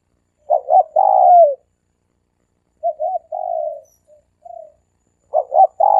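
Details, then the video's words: Three-coo dove call used for luring: a loud phrase of two short notes and a falling coo, a quieter answering phrase, a few faint notes, then another loud phrase begins. "เสียงนกเขาสามกุก เสียงนกเขา เสียงนกเขาใช้สำหรับต่อ เสียงนกเขาต่อหมานเข้าเร็ว"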